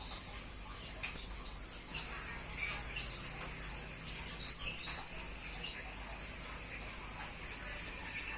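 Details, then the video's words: Blue-crowned hanging parrot recorded as training material for songbirds, giving scattered faint squeaks, then a loud burst of three or four shrill, tinny chirps midway, followed by more sparse high notes. "Serindit Masteran Berkualitas Untuk Burung murai dan kacer ijo"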